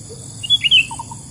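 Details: Sooty-headed bulbul in the wild, a lure call used for bird trapping: a few short, sharp chirps in quick succession, followed by fainter lower notes, over a low background hum.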